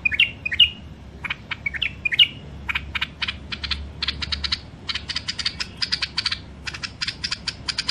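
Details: Wild-caught songbirds in cages, from Mandali, Iraq, kept for sale: opening bright, slurred whistles give way to a long, uneven series of sharp, dry chirps and clicks, some doubled, over steady low hum.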